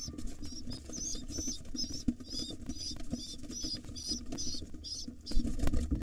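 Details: Excited wild pigeon nestlings begging while their father feeds them at breakfast: fast, regular, high-pitched squeaks about three per second, over steady rumbling and rustling, with a louder thump near the end.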